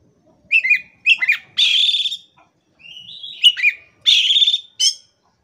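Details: Oriental magpie-robin (kacer) in loud gacor song: two quick twisting whistled phrases, a long scratchy buzz, a soft rising whistle, then the twisting phrase and harsh buzz again, ending with a sharp note.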